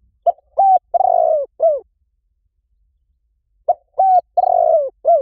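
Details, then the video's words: Spotted dove call played as a lure to bring doves in fast in any forest. Two phrases about three seconds apart, each a short coo, a level coo, a long rolling falling coo and a short downslurred coo. Otherwise silent. "เสียงนกเขาใหญ่ หมานๆ ต่อเข้าเร็ว ป่าไหนก็เข้า"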